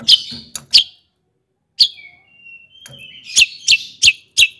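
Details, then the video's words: Mimicking long-tailed shrike song meant to stir other shrikes to sing: sharp bright chirps separated by pauses, a faint thin whistle in the middle, and a closing burst of five quick chips. "kicauan Cendet Gacor AMPUH ISIAN MEWAH JUARA COCOK buat pancingan CENDET agar NAIK EMOSI JADI GACOR"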